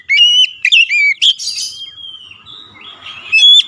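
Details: Highly agitated Oriental magpie-robin: a rapid string of piercing whistled notes with crisp overtones, fading into a quieter scratchy warble, then a final bright whistle.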